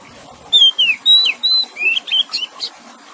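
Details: Oriental magpie-robin song with soft water noise beneath, played as relaxation for stressed birds that stopped singing: smooth falling whistles and sustained level tones, then a cluster of brisk upslurred chirps.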